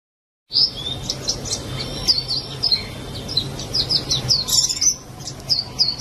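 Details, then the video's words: White-eye song: rapid high twittering phrases of thin whistled and chirping notes, many short slurred elements strung together almost continuously, with a low background hum. "SUARA BURUNG PLECI"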